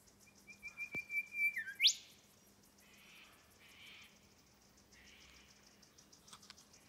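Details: A male golden whistler on the Popes Glen Walk, Blackheath, Blue Mountains, NSW, gives about seven quick, level whistled notes, then a sharp rising whipcrack at the end; fainter, softer bird notes follow.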